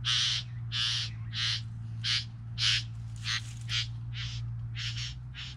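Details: Three bowerbirds calling: a series of loud, harsh, rasping bursts, about ten in under six seconds, each short and broad-toned, with a steady low electrical hum underneath.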